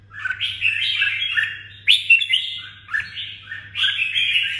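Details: Lively warbling from a red-whiskered bulbul in Đồng Nai, Vietnam. Rich, gurgling whistled phrases arrive in three main bursts, each opening with a sharp accent, over a faint steady hum.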